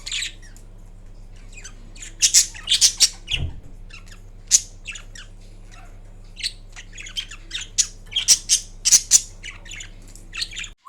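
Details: Indoors, a green pet Indian ringneck parakeet makes assorted sounds during a nap: irregular short, shrill squawks and tweets spread across the recording, one low thump midway, and a constant electrical hum.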